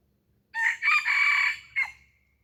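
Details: Decoy red junglefowl luring wild junglefowl gives one full crow: stuttering opening syllables running into a long, hoarse, level note, ending with a separate short upturned note, over faint low rumble.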